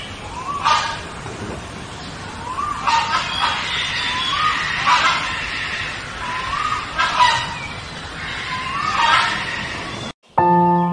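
Short, hoarse croaking notes that rise briefly, given about every two seconds by a Nicobar pigeon. A brief tonal sound cuts in at the very end.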